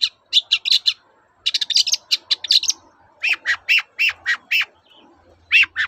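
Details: Long-tailed shrike in full 'toet-toet' style song meant to get silent shrikes singing again: dense bursts of bright chattering notes, a short gap, then a run of evenly spaced sharp chips, with faint low background noise.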